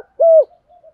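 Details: Single loud, level, hollow coo from a decoy spotted dove in the 'thổ' voice, calling. Soft low murmurs follow.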